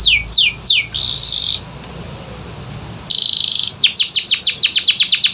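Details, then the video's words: Lure song of a canary for birds that stay quiet: three quick falling slurs and a buzzy burst, a pause, another buzz, then a fast series of descending whistled sweeps. "Pancingan Kenari Malas Bunyi‼️Dengar Langsung Nyaut Gacor Dor"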